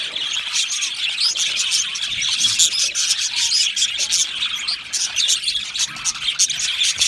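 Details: Aviary colony of Australian budgerigars chirping and singing happily, with rapid high tweets and short scratchy notes packed together in a constant chattering chorus from many birds.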